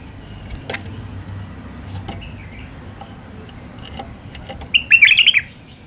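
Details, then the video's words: White-eared bulbul, wild, singing the Alwazi style: faint clicks and ticks, then one bright, bubbling warbled phrase near the end, with a low background hum. "تغريد بلبل عراقي وحشي طور علوازي راقي"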